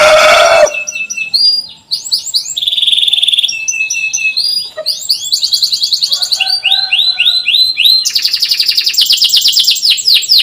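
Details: Lure recording of an energetic canary for teaching young birds to sing: after a brief burst of noise, loud rapid rattling trills alternate with sweeping whistled chirps in long, unbroken phrases.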